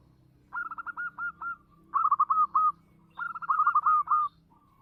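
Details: Local zebra dove singing steadily, prized for a big voice: three rapid trilled phrases of short cooing notes, each about a second long, repeated every one to two seconds on a clean quiet background.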